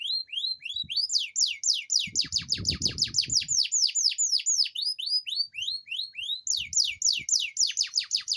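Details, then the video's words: Canary song used to coax silent canaries into singing: continuous strings of loud descending whistled sweeps, several per second, with brief rising notes early and a faint low thump in the background. "Pancingan kenari gacor ngerol panjang dan pancingan kenari malas bunyi pasti"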